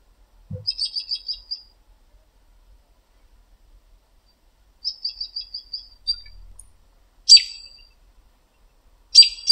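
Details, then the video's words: Evening American robin in a backyard tree exchanging calls with other robins: two quick stuttering series of high notes several seconds apart, then sharp, piercing squeaky notes near the end. "American Robin Evening Call"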